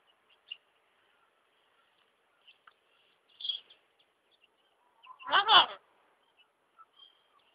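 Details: Hyacinth macaw (arara azul), living free on a small rural property at Ilha Solteira by the Paraná River, gives one loud, harsh, rasping squawk lasting about half a second, amid scattered faint high chirps and near silence.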